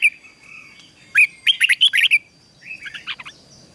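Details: Red-whiskered bulbul singing in the fierce ché style, used for training caged bulbuls and stimulating them to sing: a soft warble, then a rapid burst of about seven bright, sharp chirping notes and a quieter trailing phrase. A thin steady whine runs underneath.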